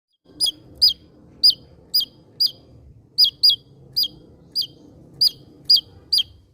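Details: Javan white-eye, a bird endemic to Java, singing in vigorous gacor style: crisp high downslurred chip notes repeated roughly every half second, each sharply bent, over a faint low hum.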